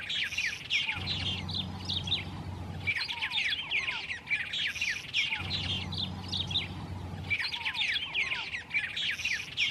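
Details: A wild white-rumped tanager sings a bright, hurried jumble of squeaky, chirping and slurred notes, the phrase returning about every four seconds, with a low droning hum in places.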